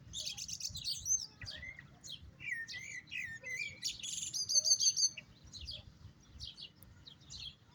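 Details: Lively European goldfinch song of tinkling twitters, buzzy trills and liquid slurred whistles, most intense near the middle, over a quiet background.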